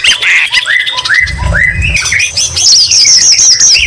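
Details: Shama song with learned green leafbird phrases: a string of rising-then-falling slurred whistles gives way to a high, rapid warbling trill, all loud and continuous.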